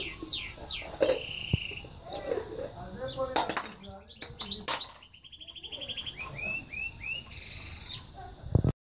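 A goldfinch-canary mule sings a lively run of twittering trills, chirps and high, bright phrases.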